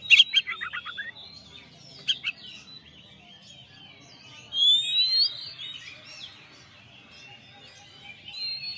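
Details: Song of a champion Oriental magpie-robin, recorded as a master for training other birds: a harsh rattling burst opening, a second rattle at two seconds, then long thin whistles and sliding notes, one louder rising phrase midway.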